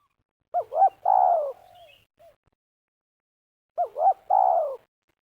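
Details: ['Spotted dove used in luring for snare trapping, Liwa, West Lampung, Indonesia, meruas style: two phrases over three seconds apart, each a pair of short rising coos then a long descending coo, the first with a soft trailing note.']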